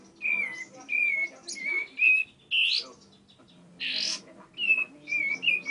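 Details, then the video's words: A tame bar-winged prinia sings lively phrases of thin, slightly descending whistles broken by harsh buzzy bursts, with a short pause midway. "Burung Ciblek Gacor Jinak"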